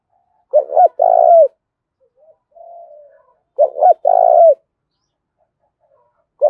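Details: Fighting 'thúc' calls of a spotted dove with thổ pha đồng voice: two hoarse phrases three seconds apart, clipped double note then drawn-out coo, a faint low coo in between, another phrase starting at the end.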